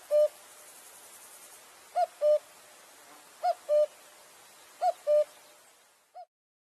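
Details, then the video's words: Repeated cu-coo phrases from a cuckoo, each a short higher note followed by a longer lower one, spaced roughly 1.4 seconds apart, ending on a single fainter note before silence. "Cuckoo Bird Singing"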